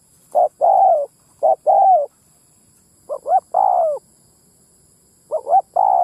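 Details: Spotted dove cooing used as a Vietnamese lure for wild males and females: four low phrases at uneven gaps, short notes leading into longer falling coos, with a long silence midway.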